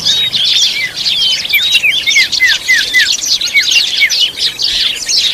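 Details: Oriental magpie-robin feeding its chicks, with constant high twittering over which a run of short, down-curving whistled notes falls in a quick series, about four per second, then more scattered chirps.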